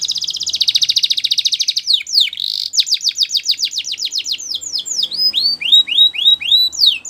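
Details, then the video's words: Russian canary singing: a fast buzzy high trill for about two seconds, then a run of quick downward-sweeping whistled notes, ending in repeated rising-and-falling chirps, all loud and clear. "Russian Canary Singing !! Canary Bird Song"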